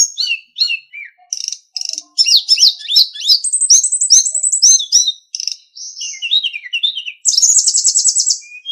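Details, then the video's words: Master recording of sulingan song for training caged songbirds: an almost continuous, varied stream of high twittering notes, warbles and buzzy trills, ending in a fast rattled phrase. "SUARA BURUNG - Masteran Terbaik Sulingan"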